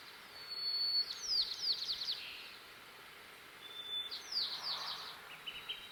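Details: White-crowned sparrow in the Sierra foothills of California sings twice: a clear high whistle, then a quick series of buzzy, slurred notes, over a soft steady hiss.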